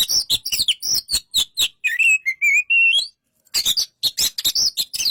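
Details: Oriental magpie-robin singing: rapid harsh clicks and chips alternate with high whistled notes, then a run of rising, warbled whistles in the middle before a short pause and more sharp clicking phrases.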